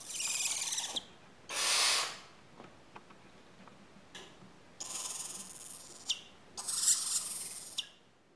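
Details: Young barn owls, four weeks old, giving harsh snoring hisses in bursts of about a second, separated by short quiet spells with soft scratching and tapping sounds.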